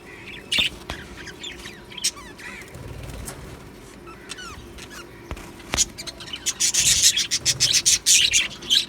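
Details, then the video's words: Budgerigars, Australian budgie parrots, in an aviary colony: sparse high chirps early, then a dense burst of rapid scratchy chattering and squawks toward the end, over a low steady hum. "Australian Budgie birds Chirping Sounds"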